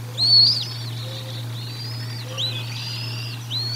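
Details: Feeding at the Decorah North bald eagle nest, nest-cam recording dated 04 01 2022: a loud, sharp, high whistled chirp, then several thinner drawn-out arched whistles, with a constant low hum beneath.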